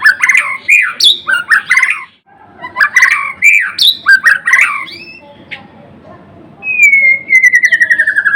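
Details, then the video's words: Murai batu, the white-rumped shama, also called murai blorok, pours out dense rapid phrases of swooping whistles and chatter, pauses, then gives a long falling whistle ending in quick repeated ticking notes. "Kicauan MURAI BATU GACOR (Murai Blorok gacor)"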